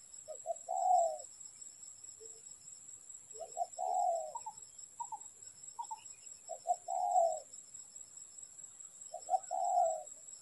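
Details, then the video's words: Spotted dove cooing during bird trapping. Four low phrases of two short notes and a longer burred note come about every three seconds, with a few soft isolated notes between and a constant high whine. "Bẫy Chim Cu Gáy"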